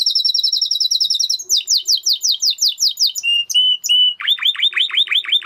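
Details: A singing Spanish Timbrado canary runs through several tours: a fast steady trill, a slower series of falling slurred notes, a few pure held whistles, then repeated deep downward swoops.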